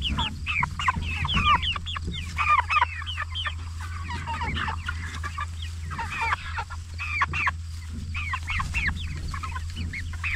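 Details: Flock of 44-day-old Jumbo Cornish Cross meat chickens making clustered bursts of sharp rising peeps and clucks, separated by brief lulls, with a steady low fan-like hum underneath.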